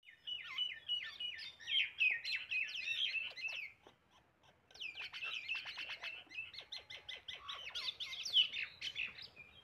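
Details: Common myna, called shalik pakhi, an Indian bird, giving a rapid run of chattering, squeaky and whistled notes with sharp clicks and harsh squawks, pausing briefly about midway before resuming.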